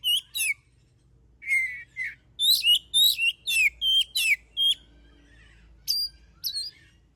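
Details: Oriental magpie-robin (kacer) song played to draw other birds into singing: clear whistled notes and trilled syllables repeated in a steady series, some descending, with a few isolated whistles near the end.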